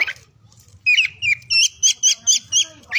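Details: Oriental magpie-robin singing in the morning, midday and afternoon, a recording meant to coax mute or lazy birds into song: a brief pause, then bright repeated two-tone whistled notes about four per second over a faint low drone.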